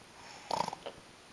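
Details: Pet African grey parrot, recorded in Alaska on 31 October 2010, imitating human snoring: a short, raspy, pulsed snort lasting about a quarter second, followed by a softer nasal puff, in a quiet room.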